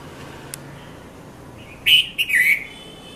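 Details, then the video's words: Red-vented bulbul, called Konda Kurulla, calling at dawn (5:30–5:40 a.m.) in Mount Lavinia, Sri Lanka, captured on a Nikon Coolpix P510: a brief tick, then a lively three-note chirping phrase falling at the end, soft background hiss. "Red-vented Bulbul Bird Voice | Sounds of Bulbul"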